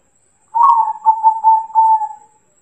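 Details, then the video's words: Local zebra dove song meant to provoke answers from other doves: a single soft, whistled phrase that opens in a rolling burst and settles into a few pulsed coos ending in a steady, drawn-out note. "masteran burung perkutut lokal gacor dor dijamin ampuh"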